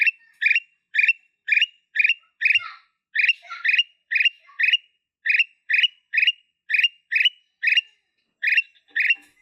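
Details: Black-capped bulbul, known locally as kutilang emas, giving 'blorok' song: a steady run of about seventeen short, bright, slightly harsh notes, roughly two per second, with brief gaps and no other clear sounds.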